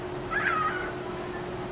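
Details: A young pet cockatiel, summer 2012, out of its cage for daily flying exercise and not yet imitating whistles, gives a single brief whistled call that slides downward, over a steady low hum.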